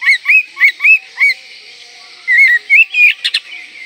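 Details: Oriental magpie-robin song, richly varied 'gacor' singing meant to stir breeding condition and provoke rivals: five clear, arched whistled notes in quick succession, a short pause, then slurred rising whistles ending in two harsh buzzy bursts.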